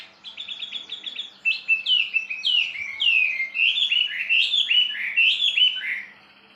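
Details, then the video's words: Wambi bird opening with a rapid stutter of short high notes, then breaking into a lively run of slurred, downward-swooping whistles repeated again and again. "suara burung wambi bikin ambrol - kicauan burung"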